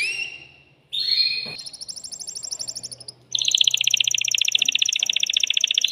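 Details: Caged male canary singing to rouse a female for mating: a short whistled note, then a fast even trill of repeated notes, then a louder, denser rapid rolling trill.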